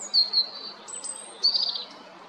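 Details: Clear, drawn-out high whistles from a European robin, recorded at Jarun, Zagreb, Croatia, on 13 April 2022, followed by a short, fast, trilling flourish.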